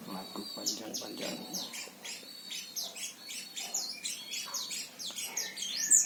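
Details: Caged oriental white-eye from Central Java, Indonesia, twittering quietly. Many short, high, downslurred chirps run on continuously, with low murmuring noise below.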